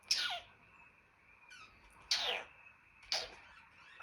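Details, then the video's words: Indoor pet African grey parrot, whose noises include squeals and pops, gives a series of harsh, hissing descending squeals roughly one second apart. "Jarvis the African Grey and his funny sounds"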